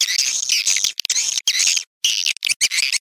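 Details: Swiftlet calls: bursts of high, buzzy, rasping chirps about half a second long, broken by short silent gaps.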